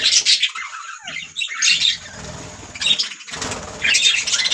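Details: Several budgerigars singing, a dense, scratchy chatter of squawks and chirps rising and falling in bursts, with short gaps between louder outbursts.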